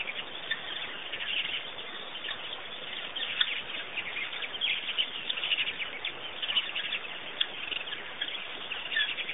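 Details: At Pete's Pond, Botswana, many birds keep up an unbroken chorus of high chirps and twittering, evenly dense from start to finish.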